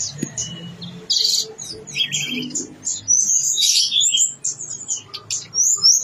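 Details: Blue-winged leafbird, locally tledekan gunung, singing vigorously in gacor style with isian phrases: bursts of bright, high whistled notes and chattering trills, some rising slurs, separated by short pauses over a faint low hum.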